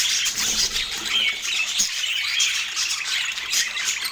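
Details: Pet parakeets during autumn morning feeding, scratchy high squawks and short chirps running together in a continuous chorus, with faint low bumps underneath.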